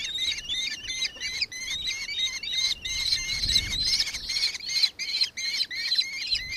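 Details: Nankeen kestrel in Victoria, Australia, recorded 4 December 2024, giving a sustained chattering series of roughly seventeen harsh, high 'kee' notes, about two or three per second. A brief low rumble swells midway.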